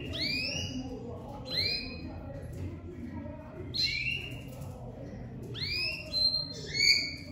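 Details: Crested pied domestic canary ('lavandeira de topete') in loud song after moult: rising swept notes in pairs, repeated roughly every two seconds, ending in bright high whistles; faint low background noise.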